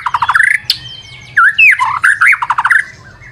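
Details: Short, dense burst of white-rumped shama lure song: quick staccato notes, a sharp upward sweep, then looping whistles and fast chattering phrases.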